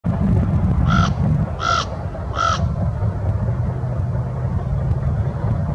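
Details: Common raven at Union Ship Canal gives three harsh, grating calls, spaced under a second apart, over a steady low rumble of traffic.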